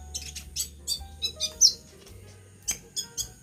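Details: Very high, piercing chirps come in quick separate notes from a pet sunbird described as in full vigorous song while moulting, over a faint low droning background.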